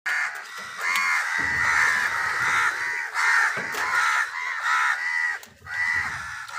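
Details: Crows in a flock squabbling with wild birds over food, giving a dense stream of harsh, overlapping cawing calls that run almost continuously, with brief pauses near the middle and toward the end.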